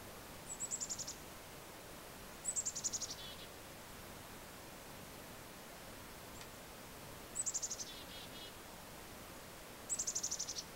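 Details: Black-capped chickadees in central New Hampshire during snowfall give four brief bursts of very high, rapid chattering notes, some trailing down to lower buzzy notes, spaced irregularly over a faint steady hiss.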